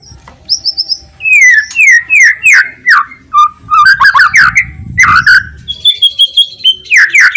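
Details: Loud song of a White-rumped shama, played so that silent shamas answer and sing: a high whistle opens, then a string of downslurred whistled notes, a varied chattering middle and repeated slurs at the close.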